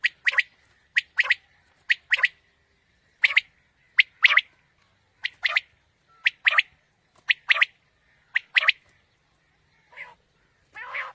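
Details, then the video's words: Quail calling, used as a morning hunting lure: clipped three-note phrases, one short note followed by a tight pair, repeated steadily, with a few softer, rougher notes near the end. "Quail Calling 2020 | Batair Ki Awaz suba ki shikar Ki liye"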